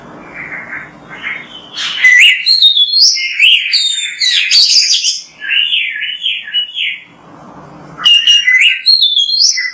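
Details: Oriental magpie-robin (kacer) singing energetically for training other birds: two seconds of hiss, then about five seconds of loud, varied whistles and chirps, a brief hissy pause, and another burst of bright, rapid phrases.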